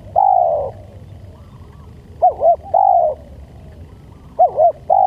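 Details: Spotted dove cooing for use as a lure: pairs of short arched notes, each followed by a longer, steady, slightly descending coo, repeated about every two seconds over a quiet background.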